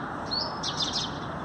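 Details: A male hummingbird sings in the morning on an artificial tree, giving a brief burst of thin, high twittering notes, a rising squeak then quick sharp chips, over steady hiss; excited sparrows call in the background.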